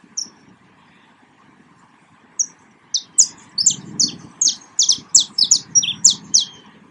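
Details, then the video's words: Wild saffron finch song: a couple of isolated high chirps, a pause, then a rapid, irregular string of bright slurred notes growing denser, over a faint low rumble and hum. "CANTO DO CANÁRIO DA TERRA"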